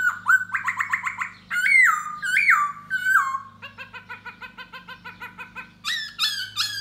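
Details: Singing and dancing for a female, a Da Bò laughingthrush delivers a quick run of repeated notes, loud falling slurred whistles, a long even chattering series and final bright notes, with low hum beneath.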